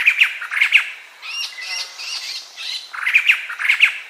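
Harsh, squawking bursts in pairs alternate with a jumbled, chattering middle section, all fairly high and loud, like a laughingthrush chorus.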